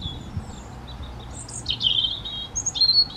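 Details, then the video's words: A wild European robin sings in breeding season, defending its territory in answer to other robins nearby: high, thin, warbling phrases with sliding whistles and trills, rising and falling, over a soft background hum. "Singing Robin"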